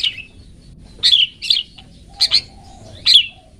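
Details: Long-tailed shrike singing 'toet toet' for pet-bird training: short, bright, slightly buzzy notes, some given in quick pairs, separated by brief pauses with a faint low warble between.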